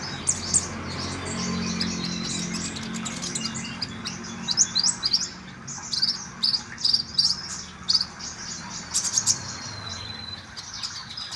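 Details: Common iora song played to make a kept bird sing more readily: a busy jumble of high squeaky chirps and short whistled notes, louder bursts toward the end, over a steady low hum.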